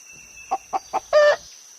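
A hen gives three quick, clipped clucks about a quarter-second apart, then one longer, drawn-out cackling note, over a faint steady high-pitched whine.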